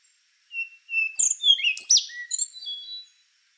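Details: Song of the rufous-brown solitaire: a couple of level whistled notes lead into a rapid tumble of rising and falling sweeps, slurred and slightly metallic, lasting about two and a half seconds.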